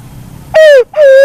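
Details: Single phrase from a black-naped fruit dove, locally punai walik haji or walik kembang: a clipped falling note and then a sustained smooth hoot, preceded by soft low hum.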